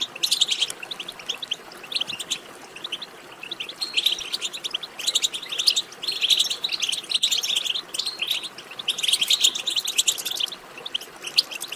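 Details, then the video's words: High, sparkling twitter of European goldfinch, used to get a goldfinch singing: three or four bursts of quick, jingling notes separated by short quieter gaps. "بتبتة ماهرة في تحفيز الحسون على التغريد"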